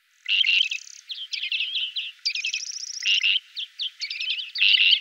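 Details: Great grey shrike (Lanius excubitor) in the Loonsche Land near the Efteling, between the Loonse en Drunense Duinen and Huis ter Heide: a continuous run of harsh buzzy chatters mixed with quick high trills and squeaky notes, almost without pauses.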